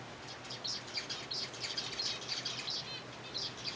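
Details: Captive zebra finches eating softfood, a busy chorus of sharp nasal beeps, roughly one or two per second, overlapping from several birds, light wing flutter and faint hum.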